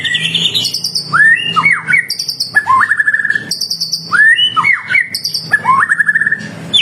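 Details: White-rumped shama in full song, used as a lure to make other shamas sing back: rich whistled phrases, rising slurred notes near mid pitch alternating with high thin trills, the pattern repeating about every three seconds.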